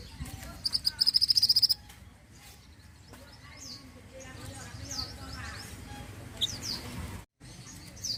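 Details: Pied bushchat singing vigorously: a short, fast, high-pitched trill of tightly repeated chirps lasting about one second opens the recording, followed by scattered thin high notes over a steady low background hum.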